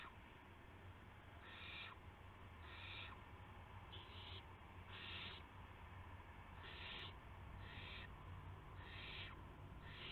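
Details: Owls at dawn on March 26, 2016, about 5:51 AM, with a mouse and a gopher as prey. Breathy rasping bursts sound roughly once a second, some grouped closer together, over a continuous low hum.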